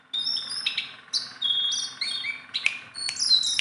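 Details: Tame Sunda bulbul (jongkangan), a hand-tame bird singing steadily, gives rapid varied whistled phrases, high sliding notes and short bright chirps in quick bursts, with no other clear sounds.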